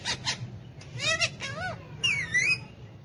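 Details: Talking hand-tame Alexandrine parakeet, a pet kept alongside ringneck parakeets and said to speak Urdu/Hindi, producing short wavering speech-like syllables and a bending whistled phrase that rises and dips, with steady low hum behind.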